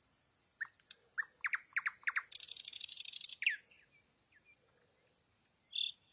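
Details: A night-singing nightingale opens with a high whistle, then gives sharp repeated downward notes that lead into a fast buzzy rattle, trailing off into soft faint notes and a final high note.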